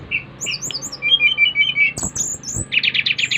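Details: Bali brown-chested jungle flycatcher song aimed at getting other birds singing: soft high chirps, a row of short whistles, then a sharp rising whistle and a buzzy rattling burst.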